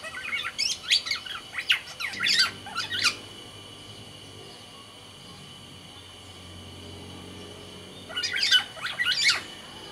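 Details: Captive black-naped oriole of Sumbawa singing in two bursts of rapid, scratchy chirps and whistles separated by a long quiet gap filled only with steady hum.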